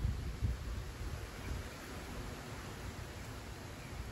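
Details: Only a low buffeting rumble and soft hiss, likely wind on the microphone, fading slightly over the few seconds; no animal sounds are audible.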